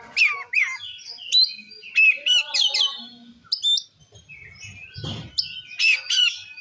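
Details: Oriental magpie-robin (kacer) song meant to provoke other magpie-robins: sharp whistled notes and chattering phrases in bursts, with a brief low thump midway and quiet background noise.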